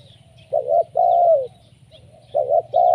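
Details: Spotted dove lure call, used to draw in other doves: two pairs of low, rolling cooing notes with a short pause between pairs, over a steady low hum.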